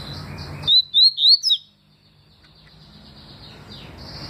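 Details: Double-collared seedeater (papa-capim) song: a short phrase of four clear whistled notes, each rising then slurring, around 0.7 to 1.5 seconds, over a faint steady background hiss.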